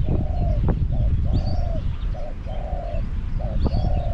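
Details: At Song Phi Nong, Thailand, a caged spotted dove decoy calls to lure wild doves: clear, hollow coos alternating short and long held notes in a steady run, faint higher chirps from other birds, rumbling wind behind.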